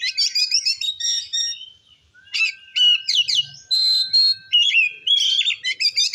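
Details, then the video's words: Oriental magpie-robin, a kept songbird, singing in a lively gacor ngeplong style used to provoke other magpie-robins; bright whistled phrases and rapid chattering trills high in pitch, broken by a short pause near two seconds, with a steady faint tone underneath. "Suara Kacer Gacor Ngeplong Ampuh Memancing Emosi Kacer Lain"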